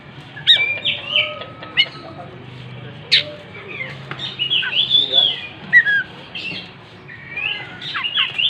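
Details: Oriental magpie-robin in lively song while opening its tail: varied whistles, chips and warbled slurs in uneven bursts, with quieter gaps and a low background murmur.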